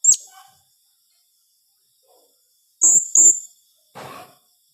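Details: Blue-crowned hanging parrot calling in the 'tembakan rapat' rapid style. One shrill high note opens, then after a pause comes a quick doubled squeak and a softer scratchy burst.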